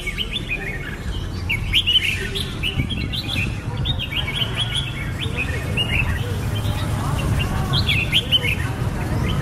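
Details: Red-whiskered bulbul song of cheerful, slurred whistled notes in fast clusters, strongest early and again near the end, set against a continuous deep rumble.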